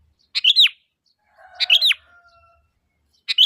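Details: Sooty-headed bulbul call meant to draw replies from other bulbuls: loud phrases with a sharp first note and a liquid downward-sweeping slur, repeated roughly every 1.3 seconds, with a faint hum between them.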